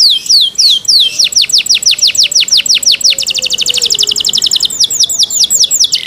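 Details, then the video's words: Cenkok-style canary song: a long sequence of sharp descending whistled notes, the rhythm tightening into a very fast trill and then loosening again, bright and high throughout. "CENKOK CANARI SOUND, CLEAR SOUND"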